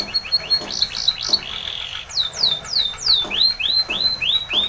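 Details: Spanish Timbrado canary singing for training: short repeated notes and a brief roll, then loud descending sweeps and arched whistles roughly twice per second, with soft clicks in the background.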